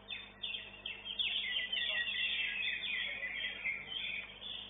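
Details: Greater green leafbird (Chloropsis sonnerati), a fourth-place winner at an Indonesian songbird contest arena, sings a fast, busy stream of bright chirps and twittering notes, about four a second, over a low steady hum.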